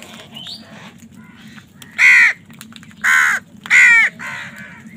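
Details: Loud harsh cawing from crows fighting for food: four rough, drawn-out caws, roughly one per second in the second half, after a quiet start with faint distant calls and a low hum.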